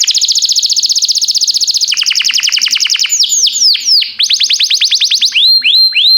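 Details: A canary delivers a training song: a long fast trill that drops lower partway, then varied downslurred whistles and curved chirps in quick succession.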